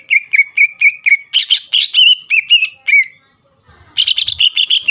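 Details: Greater green leafbird delivering a provoking song for rivals: a quick run of whistled notes, a short silence with faint low thumps, then a dense, busy burst of chirps.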